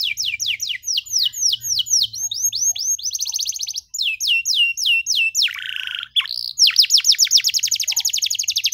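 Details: Singing canary, meant to train young canaries: fast rolling whistled notes, high trills, a harsh lower buzzy note near the middle, then a long rapid sequence of sweeping notes.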